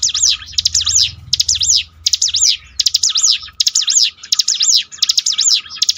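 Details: Bar-winged prinia song used for training and to revive a demoralised bird: high buzzy phrases of quick rising-falling notes, repeated roughly every two-thirds of a second, with low rumble in the background.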